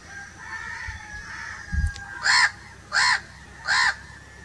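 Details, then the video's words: Crow with faint, drawn-out cawing at first, then three loud, harsh caws about half a second long, spaced evenly at roughly two-thirds of a second; a soft thump and steady low background hum. "1 hour crow crowing sounds"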